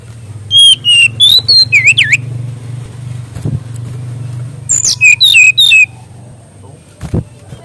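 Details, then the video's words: Mangrove whistler song, offered as a master recording for training young birds: loud clear whistled notes, some sliding down or looping, in two rapid bursts separated by a pause, over a steady low engine-like hum. "BURUNG SRDC ISIAN GACOR FULL"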